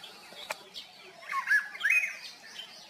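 A golden oriole gives a few short, fluty whistled notes that slur up and down. Faint higher chirps from other small birds sound behind it.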